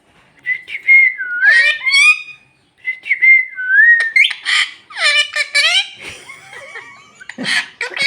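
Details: Parrot talking Bhojpuri, starting with steady whistles and a dipping glide, then rough, noisy, harmonic bursts in quick succession with scattered clicks.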